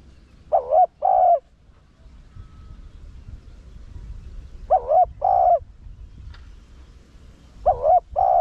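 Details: Rặc Đồng-voiced spotted dove cooing to lure wild doves and excite decoy birds: three paired coos roughly every 3.5 seconds, each a short dipping hoot followed by a steadier, longer one, with quiet low background noise.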